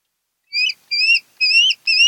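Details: Osprey at a nest on Kent Island, Maryland, camera recording of 10 August 2018, 02:30–03:30; four drawn, upslurred whistles, each about a third of a second long and spaced evenly.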